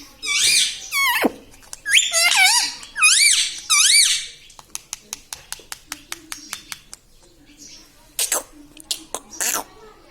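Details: Talking parrot producing several squeaky, speech-like syllables with rising and falling pitch, then a rapid series of sharp clicks and a few harsh, abrupt squawks, indoors in a small room.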